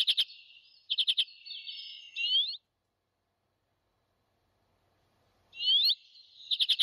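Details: Arctic redpoll calls: quick stuttered bursts of four or five clipped notes, each followed by a drawn-out buzz ending in a sharply rising slur; a long silence separates the two phrases.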